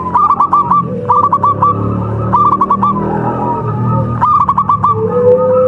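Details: Zebra dove of a local contest line, recorded as training audio: quick stuttering runs of bright coos repeat several times over a steady low hum and softer background cooing.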